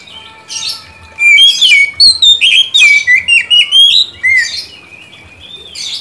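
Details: A shama delivers a lively rapid string of short whistled notes that step and slur between pitches, with faint steady tones under the first second and softer calls at the edges.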